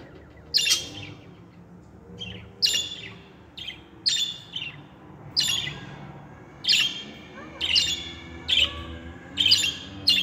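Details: Budgerigar, a singing budgie, gives bright chirped notes centred high, in bursts roughly every second, some short warbled phrases between, with a faint low hum beneath.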